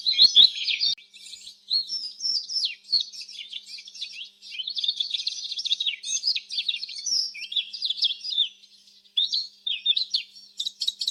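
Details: Canary singing a long run of rapid, varied high chirps and warbled trills, with brief pauses between phrases and a few short clicks near the start.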